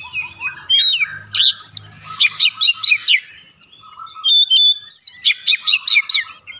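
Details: Oriental magpie-robin song as a lure to get a bird singing: slurred whistles, then long runs of loud, rapid, rhythmic notes repeated several times a second, separated by a quieter pause.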